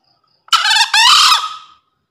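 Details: Breeding male green junglefowl crowing as a master sound for newly caught birds and forest luring: a sharp rasping start, a brief gap, then a prolonged harsh, buzzy scream dying away.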